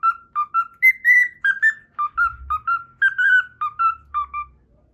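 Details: A pet cockatiel, Milo, whistles the Pythagora Switch opening theme: about fourteen clear, mid-pitched notes in quick, bouncy succession, some rising, over a faint low rumble.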